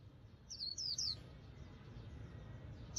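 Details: A white-eye in 'líu' song style gives a quick burst of three very high, thin, down-slurred twittering notes in about a second, over a low background rumble.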